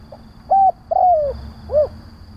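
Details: Single phrase from a spotted dove decoy calling to lure other doves: a faint pip, a clear level coo, a long gently falling coo and an arched closing coo, with a low background rumble.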